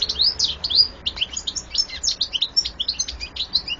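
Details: Goldfinch singing a rapid, liquid twitter of high slurred notes and quick rising and falling chips, packed densely with barely a gap throughout.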